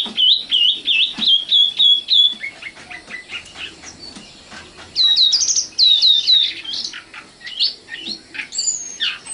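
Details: Nightingale, Luscinia megarhynchos, locally named sikatan londo: a quick chain of bright whistled slurs, then a softer, lower, rambling passage, then loud high sharp notes and scattered varied twitters.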